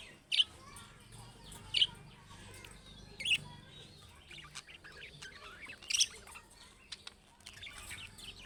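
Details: Budgerigars, Australian parrots, give loud sharp chirps spaced about one and a half seconds apart over soft background warbling and faint chatter.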